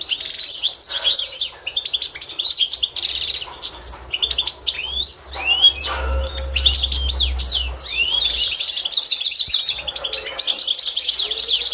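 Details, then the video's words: Authentic Constantine-style goldfinch singing as a learning model: varied phrases of rapid twitters, buzzy trills and swooping whistled notes with brief gaps, and a low hum in the middle section. "تتعلم مع الحسون القسنطيني الاصيل"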